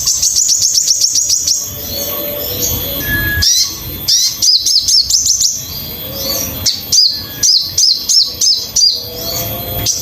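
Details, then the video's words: Sogon song in a training master: a fast high trill opening, then bursts of sharp downslurred chirps in quick groups, with a brief whistled note in between. "MASTERAN BURUNG SOGON"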